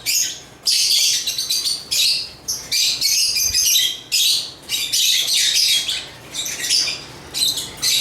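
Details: Several African lovebirds (Agapornis) chirping and singing: bursts of shrill, high, scratchy chatter, each lasting about half a second to a second, separated by brief pauses and repeated throughout.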